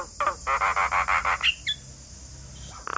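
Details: Black-winged starling in full song as a tutor for young forest birds: a harsh note, then six rhythmic buzzy squawks, a clipped whistle, and a final raspy burst, with a steady high hiss behind.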